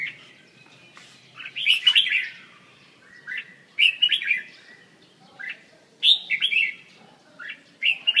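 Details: Red-whiskered bulbul from central Vietnam, repeated bright chirpy phrases of rising and falling whistles, roughly every one to two seconds, loud and clear over a quiet background.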